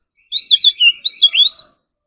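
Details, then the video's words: Oriental magpie-robin practising its competition song in the morning: two rich, looping whistled phrases, each rising then falling, with a faint lower warble underneath. "Kacer Gacor Full Isian Tembakan Mewah || choè than hót đấu"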